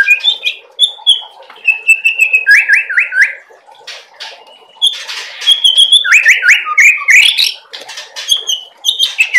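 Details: Young speckled white-rumped shama singing loudly, its song loaded with cerucuk-style filler phrases: varied clear whistles, buzzy bursts and quick rising and falling slurred notes in restless, fast sequence.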